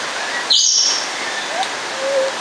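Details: Congo African grey parrot of the nominate subspecies in Warsaw Zoo lets out a sudden grating squawk with a high ringing tone. Two soft short whistles follow, over continuous background hiss.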